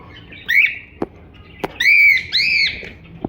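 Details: Cockatiel singing and chirping: a few clear, whistled, slightly rising and falling notes with bright overtones, some drawn out over half a second, separated by short clicks and soft background rustling.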